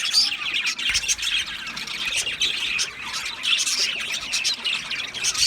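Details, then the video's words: Flock of Australian budgerigars giving harsher squawking chirps mixed with softer twitters, many overlapping voices in a constant, busy chatter. "Australian Budgies Sounds | Beautiful Budgies chirping Sounds"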